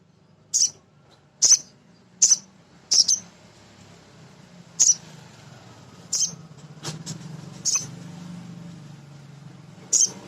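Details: Male sogon sunbird, used to train and excite other sogon birds, gives sharp, high chips, first in a quick run, then spaced irregularly, over a low hum.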